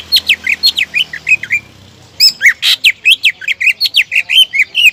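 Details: Energetic greater green leafbird singing, played to goad rival birds into song: fast chains of sharp, downward-sweeping whistles and chirps, a short gap near two seconds, then a louder, denser stream of clipped squeaky notes.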